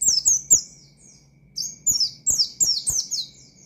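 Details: Oriental white-eye shooting out challenging song to rivals: a short group of thin, falling chirps, a pause, then a steady run of six sharp descending buzzy notes, with occasional knocks.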